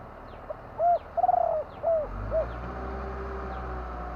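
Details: One full spotted dove phrase: a faint pip, a mellow coo, a wavering rolled coo, then two softer falling hoots. Light ticking and a low hum follow.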